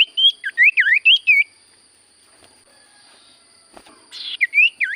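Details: Common iora delivering a quick run of dipping, slurred whistles, then silence, then a harsh burst followed by more swooping whistled notes.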